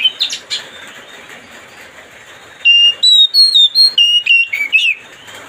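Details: Oriental magpie-robin singing to provoke another bird: after a brief chatter and a pause, a clear series of pure whistled notes, each held briefly and stepping up and down in pitch, repeated about three times a second.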